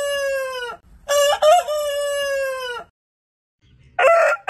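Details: Rooster from a compilation of more than 100 heritage chicken breeds crowing: a deep, harmonic, long-held crow with a brief break, then after a silence the loud start of another crow.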